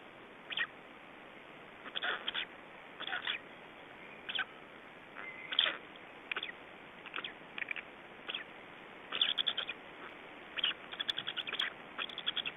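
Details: Black storks in Estonia, 24 May 2012, early evening, with feeding and a nest change-over: repeated raspy hissing bursts, some in rapid stuttering runs, growing busier toward the end.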